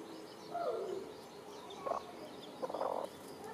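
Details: Hens and chicks dust-bathing; low, short hen clucks and a drawn-out murmur sound in three bursts over a quiet background, with faint high chirps above.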